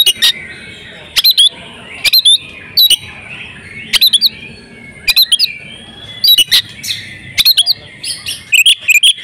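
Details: Oriental magpie-robin female in breeding condition, used to set males singing. Short clusters of sharp clicking chirps come every second or so over faint background hiss.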